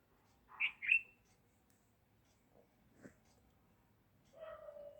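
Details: A bulbul, apparently calling its friends to come and eat together, gives two quick, bright, liquid chirps close together, then a softer, lower tonal note, with faint background rustling.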